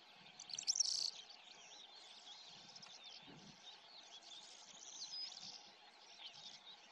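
A Calandra Lark pours out a continuous, rapid torrent of high, jangling and chirping notes, loudest near the start, over faint background noise.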